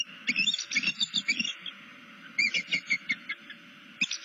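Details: Bald eagle in southwest Florida, seen on a nest camera stretching its tail and looking about while calling to another eagle. High, piping chirps come in quick series, with a pause midway and a final short burst.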